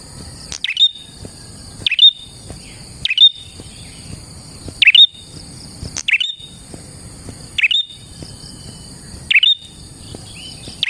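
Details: Prinia song meant to call in prinias: repeated sharp clicks with short thin whistles, about every one to one and a half seconds, eight phrases in all, against a continuous shrill drone.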